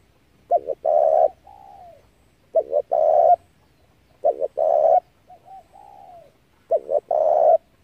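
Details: Low mellow cooing of a spotted dove used as a trapping lure: four phrases of two clipped notes and a longer coo, some followed by a soft, gently falling murmur.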